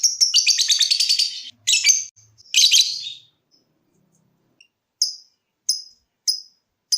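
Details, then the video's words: Bursts of fast high lovebird trilling (ngekek) are followed by sharp single ticks (ngetik) spaced about every half second. "Suara Burung LOVEBIRD dimulai NGETIK lanjut NGEKEK"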